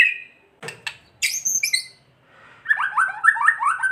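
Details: White-rumped shama kretekan song, meant to goad other shamas into singing: a short whistled note and harsh, crackly squawks give way to a rapid, jumbled series of bright warbling whistles after a brief pause.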